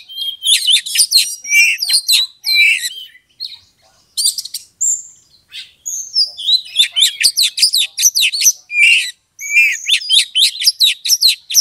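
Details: Oriental magpie-robin provoking a rival to fight, heard in a long, loud run of varied song; rapid high chatter, sharp whistles and trills delivered in quick bursts with short breaks.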